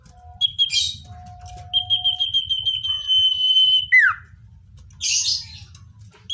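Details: Common iora, natural recording for attracting wild birds: scattered chirps and a noisy burst, then pulsed whistles leading into a long held whistle with a falling finish, followed by another rough burst of sound.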